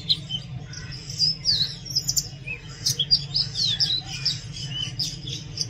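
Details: Oriental magpie-robin song, very loud and lively: rapid high chirps and short whistled slurs strung together almost continuously, with a steady low rumble beneath.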